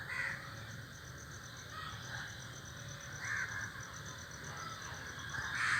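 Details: Crows in a group on a tree give scattered hoarse caws, one at the start, a stronger one past the middle and another at the end, with a steady high background drone.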